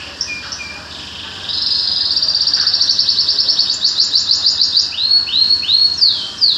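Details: Small songbird singing high: a few short chips, then a long rapid chattering trill that grows louder and steps upward, ending in a run of repeated arched, sweeping notes, with light background hiss.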